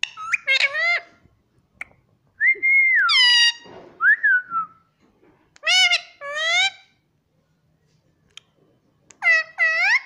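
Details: Pet rose-ringed parakeet from India that talks, saying "mummy", mixes long clear whistles rising and falling with harsh, nasal, speech-like syllables in bursts of two or three, spread over ten seconds with pauses; small indoor room.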